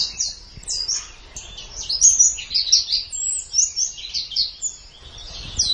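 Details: White-eye song for training caged birds, used morning or evening: energetic, high warbled phrases of sliding whistles and quick chips, rising and falling steadily throughout.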